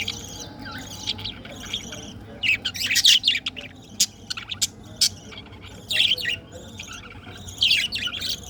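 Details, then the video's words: Colorful budgies chattering with sharp, scratchy chirps and short warbled bursts that come in clumps every second or so, louder toward the middle, over a faint low hum. "Colorful budgies sound 🐥🐦🥰|Chirping sound"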